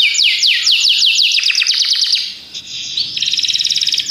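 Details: Belgian canaries sing a series of quick descending whistled sweeps, then a buzzy rolling passage, ending in a rapid pulsed trill repeated many times per second.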